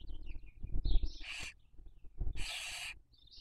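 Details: Nest webcam in Cabañeros National Park, Spain, 2023 breeding season: barn owls raising young produce two rough hissing bursts, the second longer, preceded by faint descending chitters and low knocking noises.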